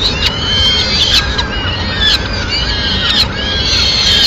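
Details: Madrid Peregrine falcon nest, 29 April 2016, with the mother delivering food to her chicks. Piercing, curved screeching notes follow one another almost without pause, interrupted by short ticks, above a persistent low rumbling hum.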